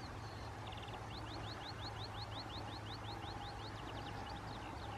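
Red-throated Pipit: a short buzzy trill, then a fast run of thin, high, upslurred notes, about five per second, over a steady low rumble.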